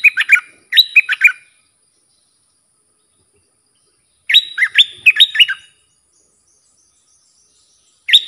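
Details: Red-whiskered bulbul song for training young birds, with sap dok, double and rik phrases: repeated bursts of loud, bouncing warbled notes, about six in each burst, separated by silent gaps of roughly three seconds.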